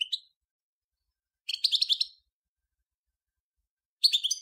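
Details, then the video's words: European goldfinch, Major form, singing short clusters of bright, fast twittering notes, about two and a half seconds apart, in otherwise quiet surroundings. "صوت الحسون الأصلي - Stieglitz Major Beste Gesang - Le roi du chardonneret"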